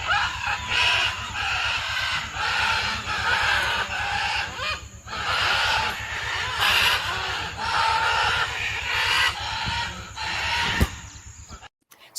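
A wild flock of parrots screeches and squawks over and over in harsh, overlapping bursts, with a steady low rumble beneath and an abrupt cut at the end.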